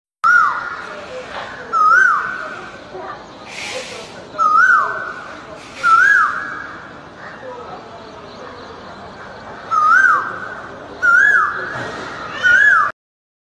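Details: Hill myna in Bastar, Jagdalpur, Chhattisgarh, India, giving loud, clear whistled notes with a quick upward twist, repeated about every one to two seconds, with brief rustling noise in between.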